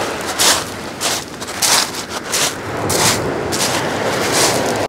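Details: Broad rushing noise surges and fades in repeated bursts about every second, with no animal calls heard.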